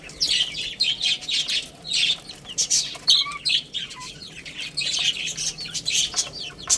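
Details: Little chicks peep continuously while playing and eating: shrill, falling chirps in rhythmic clusters, broken by sharp knocks and scratchy noises.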